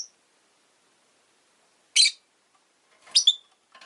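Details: Rosy-faced lovebird chirping: a loud, rasping shriek, then a second later a ragged double chirp and a faint trailing note. Silence fills the gaps between calls.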